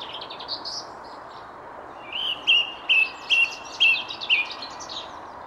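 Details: Song thrush singing in the King's Garden of the Château de Versailles, France, on 19 February around 9:30 in the morning, misty weather pierced by sun; faint high notes, then a short clear whistled note repeated five times about every half second over steady hiss.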